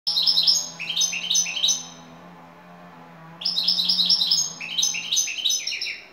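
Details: European goldfinch (Carduelis carduelis) of the Turkish "şakşaklı" song type sings bright, rapid tinkling phrases in two bursts, high and liquid with buzzy twitters, over a faint low hum.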